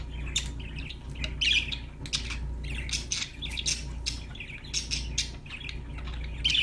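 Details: Budgerigars singing indoors as pet birds: dense chattering of sharp clicks, warbles and buzzy squawks, nearly continuous and overlapping, above a constant low background hum.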